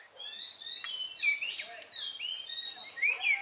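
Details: Decoy red-whiskered bulbul used in bird trapping, 25 October 2017, singing loud bright whistles, slurred upward and downward notes strung into lively phrases, with brief pauses between bursts; a person speaks right afterward.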